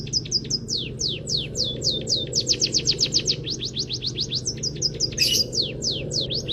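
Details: Training song of a munia (peking emprit kaji) full of canary phrases: bursts of sharp downslurred whistles, a dense fast trill, a brief noisy rasp, and low hum throughout.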